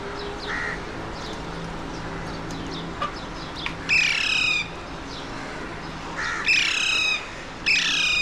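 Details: Alexandrine parakeets, known locally as mountain or pahadi parrots, seen from a window in Mumbai, India, on 30 April 2023; faint distant squawks early, then three loud rasping squawks, each under a second, with low hum beneath.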